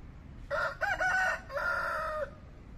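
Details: Wake-up call of a rooster beside a lake in Bangalore, a full cock-a-doodle-doo: two clipped opening notes, then a longer sustained harsh note that ends abruptly, over low ambient hum.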